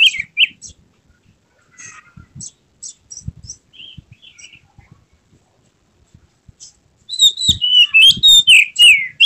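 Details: White-rumped shama in an emotional display with tail spread, giving short bursts of sharp high whistles and chirps, mostly quiet in the middle, then a loud fast run of slurred whistled notes near the end.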